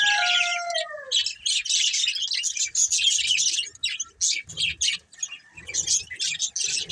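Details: Several budgies chirp continuously, a dense buzzy warble of quick scratchy notes, opening over a drawn-out falling whistled tone in the background, with soft low rustling later.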